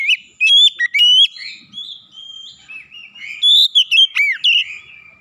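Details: Oriental magpie-robin singing a clear lure song intended to start silent birds singing: loud varied whistles and rising notes, a softer warbled stretch, then another loud burst ending in a deep downward slur.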